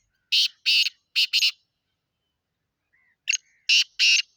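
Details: Black francolin recorded in Sindh, Pakistan, delivering a rasping four-note grating phrase, then a quiet thin whistle and a second harsh phrase beginning, with no other sounds audible.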